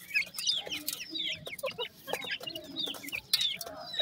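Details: Grey francolin chicks, newly hatched, giving many short high downslurred peeps that overlap in quick irregular bursts, several birds calling at once, with scattered clicks and scratching noises underneath.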